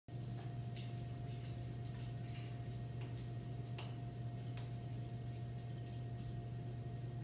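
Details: Indoor room tone with a steady low electrical hum, a fainter higher whine, and scattered soft clicks and taps, with no animal voice.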